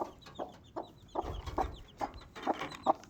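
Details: Desi hen with her four chicks: rhythmic low clucks roughly every 0.4 seconds, some with a slight buzzy edge, with faint high chick peeps in the background.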